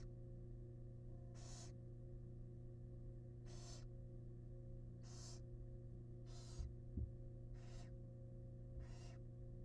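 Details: Wild barn owls inside a monitored nest box during a male's delivery of a huge rat: six rasping, breathy hisses recurring every one to two seconds, a couple of faint knocks, and a persistent low mains hum.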